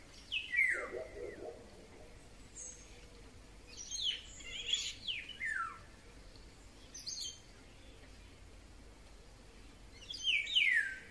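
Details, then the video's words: Eurasian golden oriole singing in May 2020 with other birds around: loud downslurred whistles in separate bursts, some quick and high, others gliding down, between pauses of background chatter. "Wilga .Śpiew."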